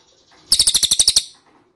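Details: Ashy tailorbird call played as a lure to draw replies: one brief, bright run of about nine evenly spaced high chips, clean and loud against a quiet background.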